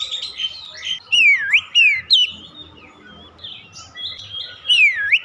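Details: Oriental magpie-robin song of loud swooping whistles that fall and rise, a few sharp accented notes, and softer twittering between, over steady low background noise.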